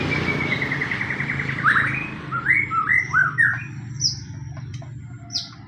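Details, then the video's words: White-rumped shama fighting-style song used as a lure to make other shamas sing: a run of whistled, looping rising notes, then a few high thin whistles, over a steady low rumble. "pancingan murai pastol tarung murai apapun akan ikut bunyi"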